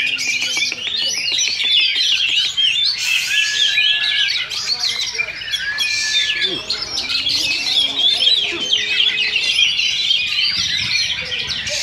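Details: Oriental magpie-robins in a caged singing duel at a Sunday practice contest in Sindanglaut, session two: long run of quick chirps, slides and clear whistles, layered from several birds, with crowd voices murmuring low.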